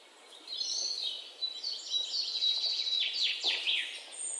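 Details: A bird chirps and sings in a varied, high-pitched run of whistles, trills and quick downward sweeps, rising to a busier burst of rapid notes midway before easing off.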